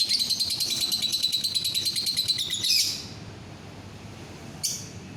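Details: Lovebird, 9 December 2021: rapid, steady high chattering trill of fast repeated notes lasting nearly three seconds, then silence and one shrill chirp.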